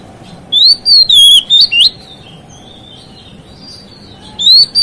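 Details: White-rumped shama song aimed at provoking other shamas: a quick series of loud arching whistles and chips, a long faint whistled trail, then another phrase begins.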